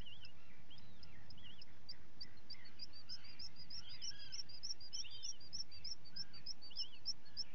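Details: Common guillemot chicks being fed, on a live webcam recording from 28 June 2020; a rapid, fairly steady run of very high piping notes, over three per second, rises above lower wavering calls and constant background noise.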